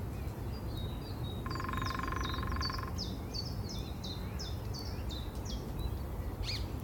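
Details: Lesser spotted woodpecker in spring in Bushy Park gives a steady series of thin, high, slightly falling 'kee' notes, about two per second, over low rumbling wind and a brief buzzy rattle.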